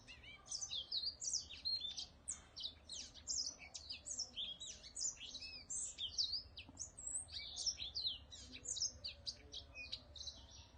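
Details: Whitetip kept as a cage bird in Vietnam pouring out a fast, continuous high-pitched song of chirps, trills and zigzagging whistles in short bursts, lasting around eleven seconds against a quiet background.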